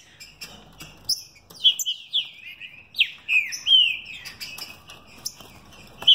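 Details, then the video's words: Captive mutation green-winged saltator, bred in São Paulo state, delivering energetic fibra and velocidade song, a string of sharp, bright whistles with downward slides, building into a rapid burst midway before a final note. "Trinca ferro mutação fibra e velocidade."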